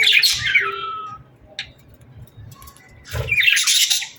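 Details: Summer sunset birdsong: a bright chirping burst ending in a falling whistle, a quiet pause with one short chip, then a harsh buzzy squawking burst near the end.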